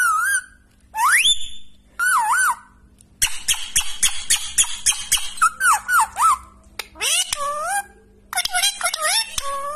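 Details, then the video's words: Pet Indian ringneck parrot that talks in Hindi gives a varied run of sounds: rising and wavering whistles, rapid clipped squeaky syllables, and sharp squawks, separated by brief pauses. The setting is a quiet indoor room. "तोते की आवाज़"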